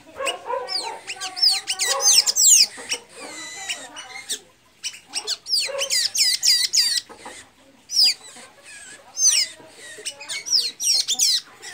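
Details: Blue-gray tanager singing a lot in Santa Inês, Maranhão, Brazil: bursts of high, squeaky, looping twittered notes run for a few seconds, break off, then resume in fresh bouts.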